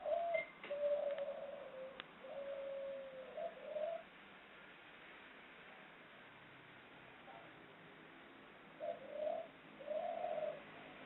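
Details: Female ringneck dove from Central Java giving its long ngelik ngluguk call: a series of low rolling coos, a long pause, then two more soft coos against steady background noise.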